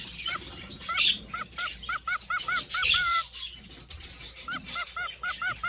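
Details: Caged male cockatiel courting a female with a long run of quick arched whistled notes, about four per second and evenly pitched, with one longer note mid-run and a hiss of aviary noise behind.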